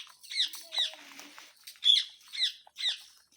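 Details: Parrot repeating short, bright, hooked chirps at a fairly steady pace, roughly every half second with one pause, with a faint low whistle in the background.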